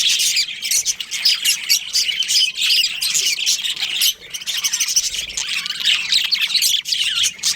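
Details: Budgerigars kept as a colony with a breeding pair, producing a steady wall of shrill, scratchy chirps and warbles from many birds at once, almost without pause.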